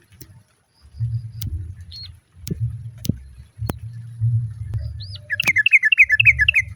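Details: Sparse upslurred notes and clicks, then a closing run of rapid chattering notes, as a female sooty-headed bulbul calls to the male and other birds answer, over a low rumble.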